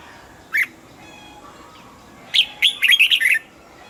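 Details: Caged red-whiskered bulbul singing: a single short note, then after a pause a quick phrase of about six bright, clear whistled notes, some slurred, over faint steady background hiss.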